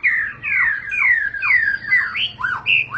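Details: White-rumped shama singing in long rolling style (ngerol panjang): clear, loud downslurred whistles repeated about twice a second, ending with shorter upswept notes.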